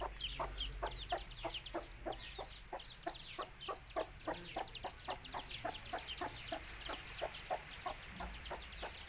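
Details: Native country hen calling her chicks to eat: a long, even run of quick, low, knocking clucks, roughly three to four per second, under a continuous crowd of thin, high, falling chick peeps.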